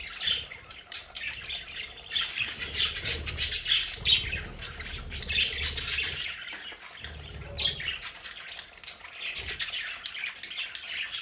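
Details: Budgerigars kept as pets in a home play area chatter steadily: rapid, scratchy chirps and warbles, a few clearer whistled notes, with faint low rumbling underneath.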